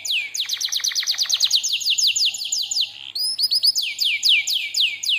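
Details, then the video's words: Canary singing a lure song for training: strings of quick, loud downward-sweeping notes repeated several times a second, a short pause, then more high sliding chirps. "KENARI DENGARKAN SAMPAI HABIS, PANCINGAN MASTERAN, SUARA BURUNG CUIT CUIT"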